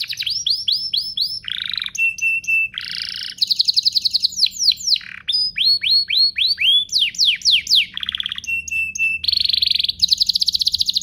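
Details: Vigorous duet-style canary singing for prompting canaries to sing: rapid series of slurred whistles, steady flat tones, buzzy rattles and fast trills following one another without pause.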